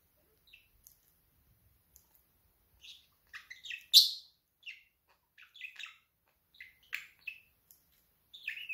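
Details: Pet budgerigar chattering in scattered, quick chirps and warbles, with one loud sharp peak in the middle, separated by short silences in a quiet room.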